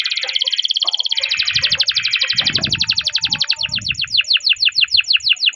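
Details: Caged canary singing a long roll, played as a master recording to stimulate other canaries: a fast, dense trill of high, evenly repeated notes that slows into separate downswept chirps, with soft low thumps underneath.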